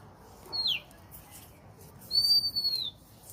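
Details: Bird calling with a short, sharply falling whistle, followed about a second and a half later by a longer, level, clear whistle that drops gently at its close. Faint background hiss accompanies it.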